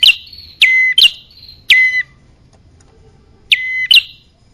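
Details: Bar-winged prinia call played as a lure for males and females: strident two-part notes, a quick upward flick followed by a steady high whistle, given in pairs about once a second with a pause.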